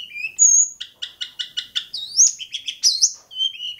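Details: Long-tailed shrike from Bobotsari singing a varied, high chattering song: rising whistled slurs, then a run of about seven rapid clipped notes, ending in sharp upslurred whistles and a falling trill.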